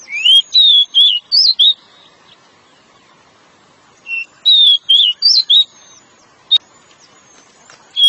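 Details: Pied bushchat, a dominant male singing a long song to lure the female: short whistled phrases around mid-high pitch, rising and falling notes in bursts of four or five, pausing about two seconds between bursts.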